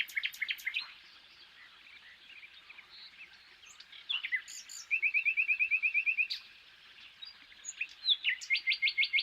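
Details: European (common) nightingale song, showing its varied, creative singing: varied phrases of loud chips and slurred notes, then rapid repeated ringing trills of evenly spaced notes, bright and high-pitched.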